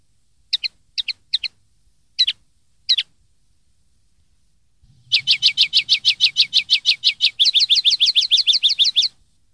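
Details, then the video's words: Common linnet song recorded for teaching young linnets to sing: a few scattered double twitters, then a long rapid series of buzzy repeated notes, each shifting slightly in quality partway through. "cd educar pardillos noveles 2013"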